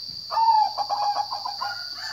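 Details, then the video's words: Zebra dove giving a single short phrase of soft, pulsed cooing notes in quick succession over a constant high-pitched whine. "Kicau burung perkutut"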